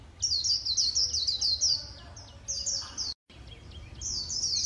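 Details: Vietnamese líu-style song of a keeper's white-eye: fast, high, twittering phrases of sweet slurred notes, several bursts broken by short pauses and one abrupt silent cut before the chatter resumes.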